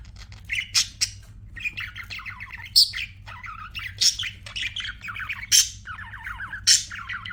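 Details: Pet budgerigars chirping: bursts of warbled, buzzy chatter with sharp high clicks roughly every second, over a faint low hum.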